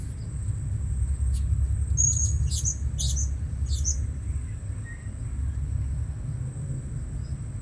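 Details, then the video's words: Blue-crowned hanging parrot calling while birds are lured at a new spot: a quick series of short, very high-pitched squeaky chirps, then quiet, with a constant shrill whine and low rumble behind. "Memikat Burung Serindit Di Port Yang Baru"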